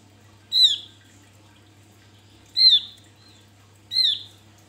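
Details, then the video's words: Three crisp, high-pitched falling notes from a male Javan grey-throated white-eye in vigorous song, used as a lure, with quiet pauses between them and a low steady hum. "Opior jawa buka paruh ngalas Untuk pancingan"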